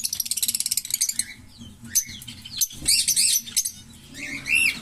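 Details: Green Fischer's lovebird pair, chattering song: a quick pulsed buzzy rattle at the start, then scattered squeaky chirps and short rasping bursts, ending in a rising-falling squeal; low hum throughout.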